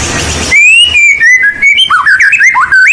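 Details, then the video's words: Murai blorok white-rumped shama, sung persistently to lure and train young shamas: after a brief burst of hiss, clear whistled notes glide downward, then break into quick, twisting, warbled phrases rising and falling in a mid-high register. "Murai Blorok Gacor Bongkar isian Pancingan Burung Murai Batu Bahan"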